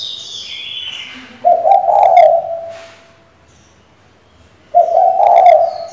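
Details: Female spotted dove calling to the male to stir a decoy bird into calling: two low, husky cooing phrases, each about a second long, separated by silence, with faint high chirps from small birds at the start.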